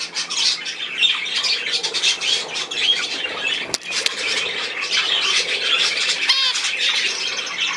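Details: Budgerigar chatter indoors with rapid scratchy chirps, a sharp click near four seconds and a short rising warble toward the end.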